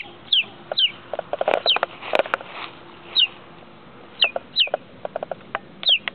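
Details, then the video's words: Young chick calling with scattered high, falling peeps, single or paired, amid clattering knocks and rustling noises. "Peeping Baby Chicken"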